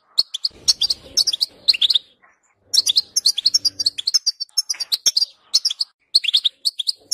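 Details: European goldfinch song played to encourage another goldfinch to sing: bright, tinkling, fast twittering phrases of high chirps and trills, broken by brief pauses, with no other sounds.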